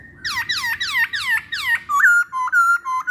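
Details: Masked laughingthrush song as a lure for other masked laughingthrushes: a run of loud, sharply falling whistles with bright harmonics, about five in quick succession, followed by steadier level whistled notes with short upward flicks.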